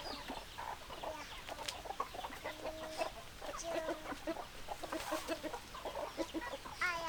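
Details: Flock of hens clucking, many overlapping short clucks and squawky notes from several birds, with busy background noise throughout.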